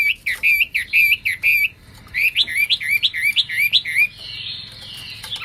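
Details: A Chinese hwamei sings loud, rapid runs of rich, slurred whistles, about two notes a second. It pauses briefly, then launches another run that trails into a harsh, buzzy passage.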